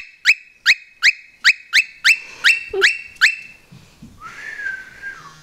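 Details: A male pet cockatiel gives one of his several whistles: a quick series of bright rising whistles, then one long, level whistle that drops away.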